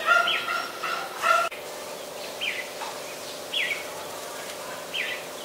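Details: Adult red-whiskered bulbul in Ubon Ratchathani, Thailand, on 3 January 2021. A burst of loud, bright chirpy notes opens, then single down-slurred whistled notes follow about every second and a half over a steady low hum.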